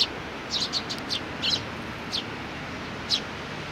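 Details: Cute sparrows with a little one doing its best, recorded 27 June 2019: a scattered run of short high chirps in the first half, then two isolated chirps later over a steady low hiss.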